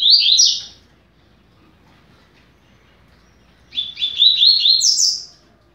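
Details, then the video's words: Double-collared seedeater song for teaching young birds, fast-beaked style: the end of one high buzzy phrase, a silent gap of about three seconds, then a second rapid phrase of repeated slurred notes ending in a higher upslur. "Canto para Ensinar Passarinho - Coleiro"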